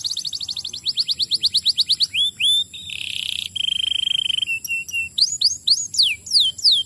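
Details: Singing canary used as training material to prompt other canaries into song; a rapid trill of short notes, then a steady flat buzzy roll, then downward-swooping whistles.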